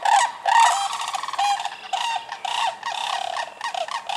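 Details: Bugling, trilled rattles from sandhill cranes recorded in Michigan in spring, a series of harsh rolling notes with short gaps between bursts.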